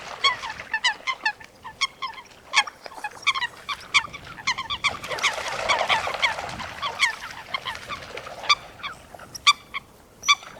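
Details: Wild coot in wetland habitat, with many short, clipped, nasal calls tumbling over one another and a brief rush of noise around the middle.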